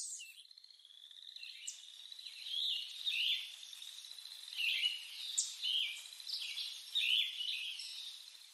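Lettered aracari giving a string of short, harsh, chevron-shaped notes about twice a second, over a steady high insect whine.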